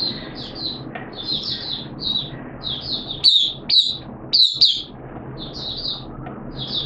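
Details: High, chattering song of a caged oriental white-eye on 13 September 2022, during deworm treatment. Soft twittered phrases build into several louder, sharper bursts of squeaky notes near the middle, then quieter warbling follows.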